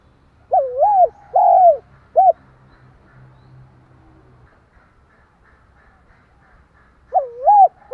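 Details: Spotted dove cooing to stimulate another dove: one three-note phrase with a rising-falling wavering coo, a long steady coo and a brief clipped note, then about five seconds of near silence before the phrase begins again.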